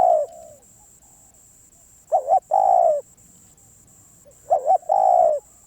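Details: Spotted dove, a very persistent wild-caught bird, cooing: a loud coo at the start, then two phrases about two and a half seconds apart, each a double-pulsed coo followed by a long falling coo.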